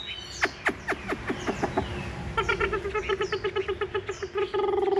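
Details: Chinese hwamei male singing during a fighting display between large birds: a quick series of falling, slurred whistles, then a rapid run of rich, buzzy repeated notes, about five each second; finding: Chinese hwamei.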